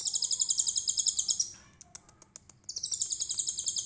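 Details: Konin trotol, an actively singing bird, in a full 'tembakan cililin' song used as a tutor recording for songbirds: two bursts of very high, fast, buzzy pulsed trills, split by a pause with faint sharp ticks.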